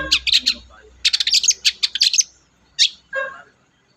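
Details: Long-tailed shrike song meant to coax a quiet shrike into singing: fast bursts of bright chattering notes packed into rapid runs, then a sharp single note and a lower grating sound.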